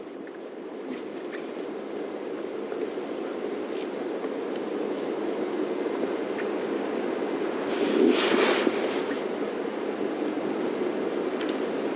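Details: Steady broadband hiss of rain or wind, with a brief louder rush near the eighth second and no animal voices.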